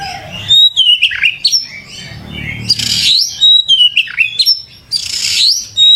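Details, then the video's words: Kacer, the oriental magpie-robin, in full song: sweet sliding whistles, short chips and scratchy bursts around 3 and 5.5 seconds, delivered in quick loud phrases. "Suara Burung Kacer Gacor"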